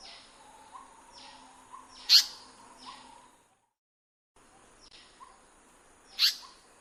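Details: Indian paradise flycatcher in breeding habitat: two loud, sharp, harsh calls about four seconds apart, with faint background chirps and soft whistles and a short silent break.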